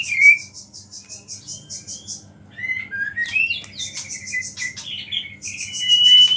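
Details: Actively singing white-rumped shama whose song is said to stir up rival shamas and carries small-bird phrases. Fast high pulsed series break into sweeping whistled slurs and a long clear whistle near the end.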